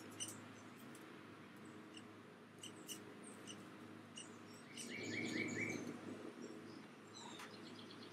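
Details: A young downy woodpecker begs as its father feeds it: faint high chirps and a quick run of four rising squeaky notes over a steady low mechanical hum.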